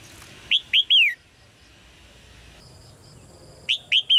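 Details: Chirping red-whiskered bulbul call used to spur males into song: a bright three-note phrase of slurred rising-falling whistles, silence, then the same phrase again about three seconds later.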